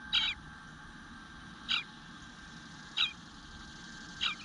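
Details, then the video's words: Eastern bluebird nestling in its nest on a June 2022 morning at 9:10, begging for food while going unfed; four short, harsh, high chirps, each spaced over a second apart, over a low steady background hum. "Eastern Bluebird Nest - Nestling Begging for Food"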